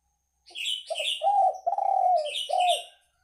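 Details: Spotted dove coo used for luring, a run of long low sliding coos ending in a shorter one, overlapped throughout by bright, fast chirping from a small bird.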